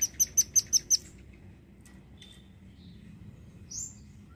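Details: Velvet-fronted nuthatch, a red-billed nuthatch used as a tutor for songbirds, gives a quick run of six sharp, very high ticking notes within one second, then falls quiet apart from a few faint chips.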